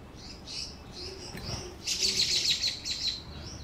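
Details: Canary in the United States singing: a few soft, high warbled notes, then a rapid, sharp trill of evenly repeated high notes lasting about a second, and a final brief note, over a faint low hum.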